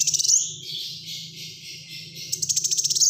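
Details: Black-throated sunbird in persistent, dense bursting song, used for prompting and tutoring other birds: high thin trills and rapid ticking notes, a long hissing stretch in the middle, with a steady low hum throughout.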